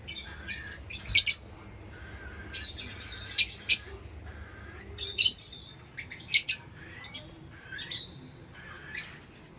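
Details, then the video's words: Lovebird chirping: busy sequences of shrill, scratchy high chirps and squeaks, some rising whistled notes, in irregular bursts. "Lovebird Chirping Sounds"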